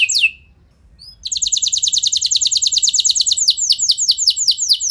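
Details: Canary song meant to excite other canaries into singing long rolls; a single downward note, a short pause, then a long rapid roll of high trilled notes slowing into separate descending sweeps.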